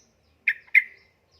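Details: Female sooty-headed bulbul calling to a male: two quick harsh notes, each followed by a drawn-out thin whistle tail, in an otherwise quiet setting.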